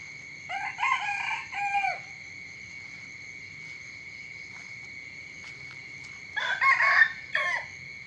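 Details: Morning crowing from a chicken: two rasping crow phrases separated by several seconds of near-quiet. During the gap a thin, continuous high-pitched insect-like tone is left, with a few faint clicks.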